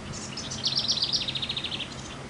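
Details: A thrush the recordist is fairly sure is a hermit thrush sings one quick, fluty phrase of high rippling notes stepping slightly downward over about a second, over a low background hum.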